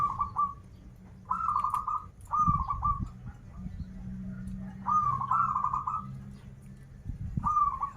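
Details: Local zebra dove from Banten singing krital and warung kebek styles: short trilled coo phrases repeated roughly every one to two seconds, some paired, with a low droning hum and occasional thumps beneath.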